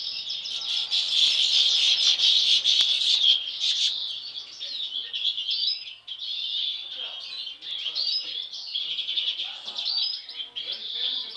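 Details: European goldfinches, all siblings, two with an unusual face mask since birth, give dense high tinkling twitters and chatter without pause.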